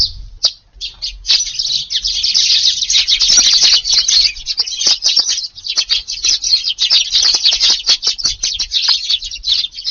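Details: Several Eurasian tree sparrows feeding in a garden near 5:30 on a rainy morning, 2 August: after a few opening chirps, an unbroken, busy stream of high, overlapping twittering calls.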